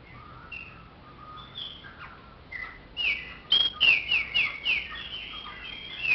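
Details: Chopi blackbird singing a string of clear whistled notes, some level, some sliding downward, building into a louder run of quick rising and falling whistles over faint background hiss.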